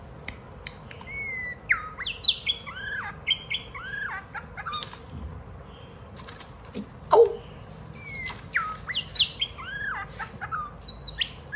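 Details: White-rumped shama kept as a pet, singing as a child plays with it and it pecks at a hand; varied whistled and swooping notes in short bursts, mixed with clicks and wing flutters.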